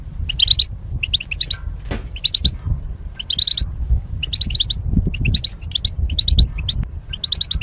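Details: Caged goldfinch, one of mating pairs separated by wire, singing: clustered high tinkling chirps in phrases about a second apart, with low rumbling background and a few soft knocks.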